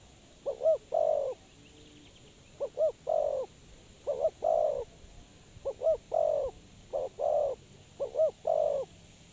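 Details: Trapping decoy spotted dove giving six similar cooing phrases, each a short paired note leading into a longer mellow coo, evenly spaced, over a low continuous hiss.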